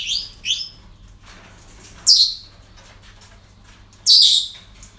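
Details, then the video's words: Parrots at a breeding centre, heard on an ordinary day: a quick pair of high rasping chirps followed by two louder, harsh screeches about two seconds apart, with faint calls in between. "Relajación Loros En El Centro De Cría"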